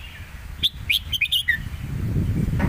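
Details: One phrase of southern Thai master-style song from a caged red-whiskered bulbul in a singing duel: five or six crisp whistled notes finishing with a falling slur, followed by rising low rumbling noise.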